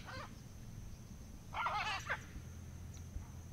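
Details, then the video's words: A parrot gives a single harsh, raspy squawk of about half a second near the middle, preceded by a faint short rasp at the start, over a low rumbling background. "PSITACÍDEOS - Araras - Cacatuas - Papagaios - Periquitos - Animais da Fazenda - Som Dos Animais"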